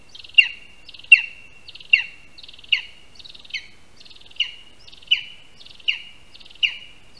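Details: Lesser spotted eagle (Clanga pomarina) at its Latvian nest in a spruce, 22 August 2021, as the first prey, a rat, arrives and is handed over. Rhythmic, shrill yelps are each preceded by a brief buzzy trill, repeating roughly every 0.75 seconds.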